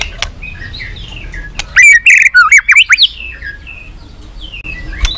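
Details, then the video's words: Short burst of white-rumped shama song used to stimulate other shamas: about a second of twisting, warbled whistles, surrounded by soft distant chirping and whistles. "Kích Chòe lửa hót nhiều giọng"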